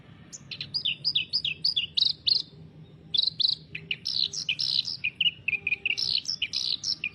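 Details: Energetic song of a clamorous reed warbler, a continuous stream of harsh, grating chirps and squeaky trills in quick succession, pitch jumping up and down between phrases, with very short gaps.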